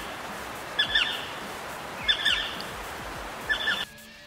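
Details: A black sparrowhawk (Accipiter melanoleucus) at Waterberg gives three short, sharp, high calls about every one and a half seconds over a steady background hiss.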